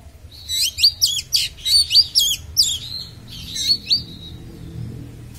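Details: Oriental magpie-robin (kacer) singing sharp, piercing phrases intended to provoke other magpie-robins: a fast series of loud, scratchy, twisting whistles, then a couple of slurred notes fading out.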